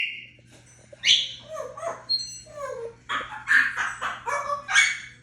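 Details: African grey parrot talking: a string of varied whistles, squeaky syllables and speech-like chatter in bursts.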